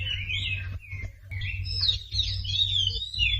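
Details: Sumatran leafbird song, used to prompt silent birds into singing: wavering whistled phrases broken by short gaps, then a higher, tangled warble, softer overall with a steady low hum behind.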